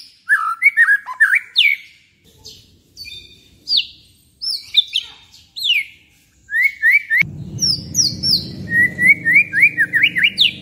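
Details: White-rumped shama, afternoon song used as a stimulus for singing: varied fluty whistles and downslurred high notes in bursts with pauses, later a fast run of rising whistled notes over a low background rumble.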